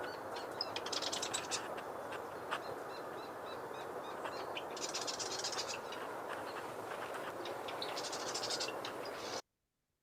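A Marsh Wren gives three bursts of rapid, rattling, mechanical chatter, like a sewing machine, about every four seconds over a steady broad hiss.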